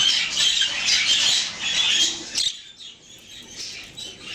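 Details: Male Yellow Face budgerigars (gold and green ringers) chatter in a dense, high, scratchy warble broken by sharp squawks.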